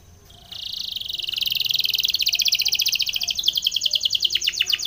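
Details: Spanish Timbrado canary training song: a continuous rolling trill of fast pulses grows louder and rises slightly, ending in a few sharper downward-sweeping notes.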